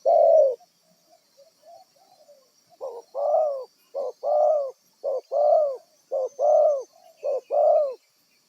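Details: Decoy spotted dove, a wild-caught bird used for trapping, opens with one long coo, mutters faint low notes, then settles into steady pairs of short and long hollow coos.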